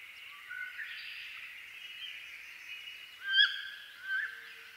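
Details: Wood duck calling: two short upslurred squeals late in the recording, the first louder, over a continuous high hissing background.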